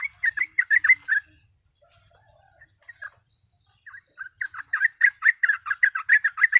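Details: Yellow-vented bulbul in full, rapid chattering song used as a lure for trapping birds: bursts of bubbly, warbled notes, a quiet pause of about two seconds, then fast repeated phrases resume, over a steady thin high whine.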